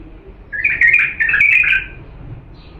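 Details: Pure Diyala bulbul song meant for training young birds: one sustained, loud, rollicking warble of rapid slurred notes lasting over a second, then quiet.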